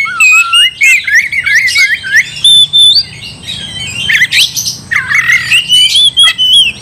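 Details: Oriental magpie-robin singing aggressively to provoke a fight, with loud whistled phrases, falling and rising slurs, and bursts of harsh scratchy notes; phrases come in quick groups with short gaps.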